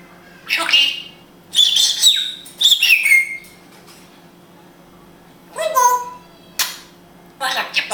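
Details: An Israeli Grey African parrot speaking Hebrew gives short bursts of harmonic, speech-like syllables, some with sliding whistled tones, separated by pauses in a quiet indoor setting.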